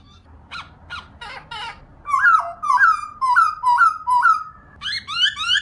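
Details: Female laughingthrush kept as a cage bird, used to spur pet birds into singing: a few short harsh notes, then a run of clear whistled phrases sliding downward, repeated about every half second, with bright high overtones.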